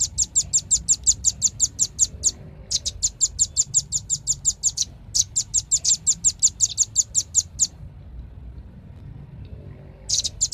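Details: Velvet-fronted nuthatch giving fast runs of sharp, high chipping notes, about six per second, in three bursts separated by short pauses, over a faint low hum.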